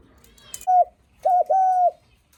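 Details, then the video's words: Spotted dove cooing to greet visitors: three soft, low, hollow coo notes, the first short and separate, then a longer pair slurred together. A faint whistle-like tone sits high above. "Tiếng Chim Cu gáy khách có khách đến nhà là gù cực chất cu gáy chào khách"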